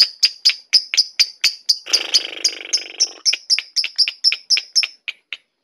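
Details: Lovebird, Batman colour variety, in sustained ngekek song: crisp high chips repeated about twice a second, with a short burst of broad hissing noise partway through.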